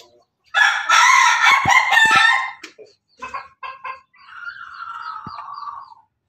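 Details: Pelung chicken, a kept bird, recorded 17 May 2024 crowing in laughing style: a loud, rough, pulsing two-second burst, a few stuttered short notes, then a long, smoother, slowly falling final note.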